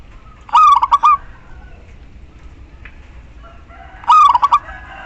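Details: Calling female of the local zebra dove, meant to attract a male and set silent males singing: two brief phrases of fast, rolling pulsed coos roughly three and a half seconds apart, a faint click between them.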